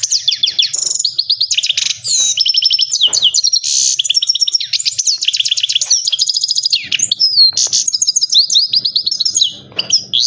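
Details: Ten seconds of nonstop song from a caged Himalayan goldfinch: quick twittering chirps, buzzy trills and swooping whistles run together, with a soft hum in the background.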